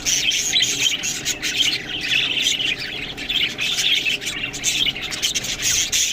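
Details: Budgerigars at a meal of green food chatter in fast, raspy warbles and squeaky chirps, the calls coming in clusters broken by crisp tapping clicks.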